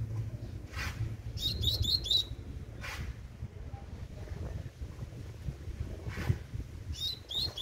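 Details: Young Double-collared Seedeater in tui tui song: a rapid string of four high, ringing notes, a second phrase at the close, and intermittent broad clicks over a low background rumble.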